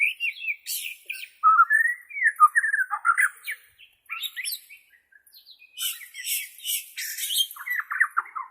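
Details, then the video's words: White-rumped shama from Borneo, recorded for training captive shamas: rich varied song of slurred whistles, sharp upswept notes and scratchy bursts in phrases separated by brief pauses. "SUARA ASLI BURUNG MURAI BORNEO"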